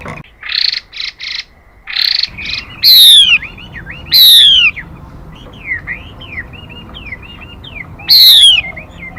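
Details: Female Mi bird used as a trapping decoy to stir up males: short buzzy bursts, then loud descending whistled calls with gentle upturned chirps between, the loud call recurring near the end.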